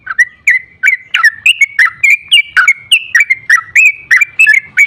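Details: A sooty-headed bulbul pours out a fast lure song to provoke other bulbuls into singing. Sharp, clear chirps with upward and downward flicks repeat about three times a second without a break.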